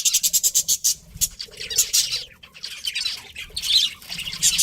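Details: Pet budgerigars, a breeding pair, kept at home: bursts of scratchy, high chattering chirps in quick pulses, with pauses between phrases and faint low rustling beneath.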